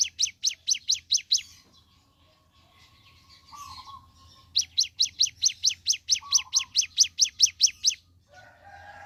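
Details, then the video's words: Morning singing by a ciblek gunung: a quick burst of high slurred chips, then a pause with soft lower notes, then a longer run of the same chips. "Suara Asli Ciblek Gunung Gacor Pagi Hari"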